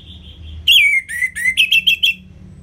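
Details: Orange-headed thrush singing ngeplong, to get lazy birds singing: a soft whistle, then a loud sliding whistle and a string of quick repeated ringing notes.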